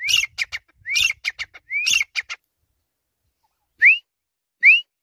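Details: Teetar, or grey francolin, repeats three rising-whistle-and-rattle phrases in quick succession. After a silent gap, two lone upward-sliding whistles follow.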